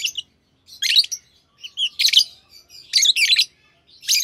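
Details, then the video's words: Captive green Fischer's lovebird pair chirping: short harsh buzzy bursts mixed with brief whistled notes, several bursts per second at times, irregular rhythm. "Lovebird Singing & Chirping Sounds - Green Fischer Pair"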